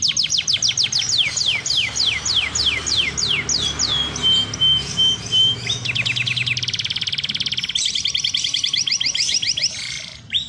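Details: Timbrado canary, a song canary breed, singing a fierce, strong song: rapid descending high whistled sweeps, then a long steady pure note, followed by dense buzzy rolling trills and a final short phrase.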